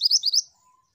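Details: A female Mantenan bird, singing eagerly, delivers four quick high upswept chirps within half a second, followed by a brief faint low whistle.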